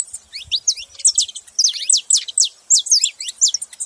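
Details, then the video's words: Saffron finch song: bright, steeply slurred high chirps delivered rapidly and unevenly, about two notes a second, in clustered phrases. "Canário da terra fazendo barulho"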